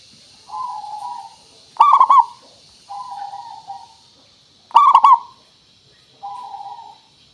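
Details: A local zebra dove sings as a lure to prompt other doves to answer. Soft, drawn-out, wavering coos alternate with louder bursts of quick stuttered notes, each phrase about three seconds apart, against a faint steady hiss.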